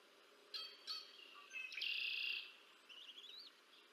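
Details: Bald eagle at the Decorah North nest on 30 March 2024, feeding its two chicks. Short, high chirps are followed by a sustained, bright whistled note lasting about half a second, then a few thin, wavering squeaks.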